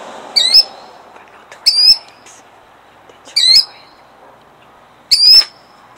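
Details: Four loud, piercing killdeer cries, spaced one to two seconds apart, from a female defending her eggs in Jackson, New Jersey, 2008, with faint clicks between.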